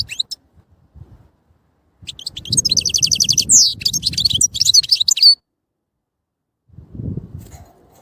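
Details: European goldfinch singing a fast, high-pitched twittering phrase: a rapid buzzy trill followed by liquid sweeping notes and tinkling chirps, with quiet low rumbling before and after.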